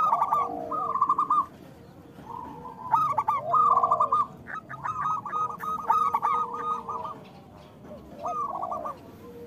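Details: Local zebra doves in loud song, used to stimulate silent or moulting doves: rapid purring trills and bent coos from several birds, coming in busy clusters separated by quieter spells.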